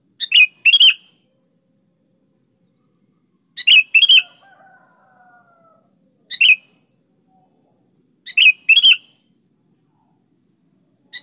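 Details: Sooty-headed bulbul singing hard as a lure for other bulbuls: short chattering, liquid phrases of two or three notes recur every two to three seconds, with a faint, drawn-out whistle between two of them.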